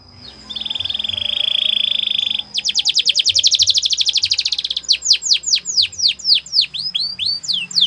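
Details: Canary training song starting with a steady buzzy trill, switching to a fast rhythmic roll of repeated notes, then slower, louder sweeping whistled notes repeated about twice per second.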